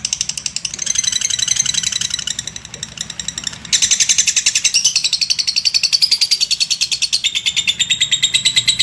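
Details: Lovebird ngekek, its long chatter as training material: bright, rattling high pulses that pause briefly, then resume louder and faster, shifting pitch in steps.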